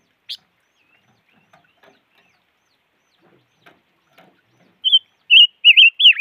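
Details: Five-coloured bird (chim ngũ sắc) calling: a few faint scattered ticks, then a loud run of four warbled, wavering whistled notes near the end, each one short and slightly falling. The background is quiet.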